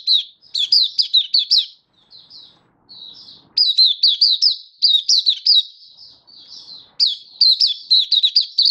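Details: Mata puteh, the oriental white-eye, giving a happy 'buka sing' song display recorded 24 February 2023; loud high chirps tumble in quick downward-slurring series, separated by softer warbled phrases and brief pauses.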